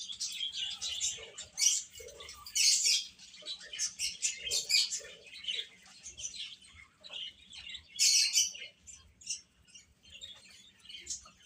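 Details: Baby chickens feeding and playing; loud bursts of piercing chirps stand out from softer steady peeping, with low pecking thumps scattered throughout.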